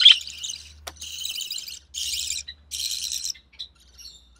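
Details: Recessive pied budgerigar chick, hatched early June 2020 in captivity, sole survivor of three, while its mother feeds it; a few short, hissing, raspy bursts, the first one loud, then softer ones spaced about half a second apart.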